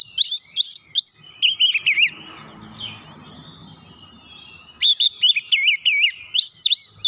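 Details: Oriental magpie-robin singing as a lure to provoke an answer: fast repeated looping whistles, a pause of soft low murmuring, then a long burst of rapid zigzagging whistled notes.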